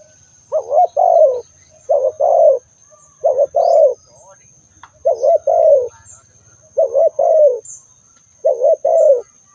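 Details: ['Spotted dove giving repeated coos, a quick wavering note followed by a longer sliding-down note, about six phrases in under ten seconds, with a faint steady high tone behind.']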